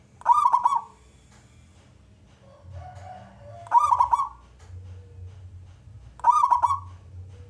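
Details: Male zebra dove of a local wild strain, a contest singer, calling to stir other doves to sing; three brief rolling, bubbly coo phrases about three seconds apart, with soft low noise between.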